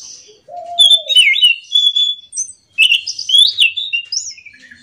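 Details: An orange-headed thrush sings continuously in the morning. A single low, hollow note is followed by a long run of sweet, warbling whistles with rising and falling slurs and sharp chips, barely pausing.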